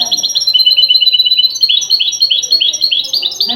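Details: Goldfinch in Tunisian song style, a phrase used to teach other goldfinches: continuous high tinkling twitter, rapid repeated notes shifting in pitch, with quiet low background sound.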